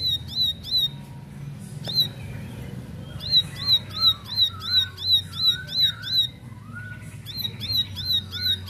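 Bar-winged prinia: sharp, high chirped notes repeated about three times a second in steady bursts, with a lower warbling bird answering in between.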